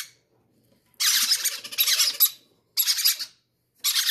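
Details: Greedy baby parrots wanting food first, indoors; after a quiet start, long raspy, screechy begging bursts follow, then two shorter ones.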